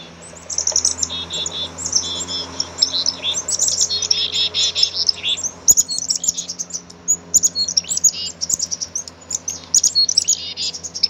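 Black-capped chickadees giving thin, high chips and short buzzy dee notes, tumbling out rapidly and overlapping, over a faint low hum.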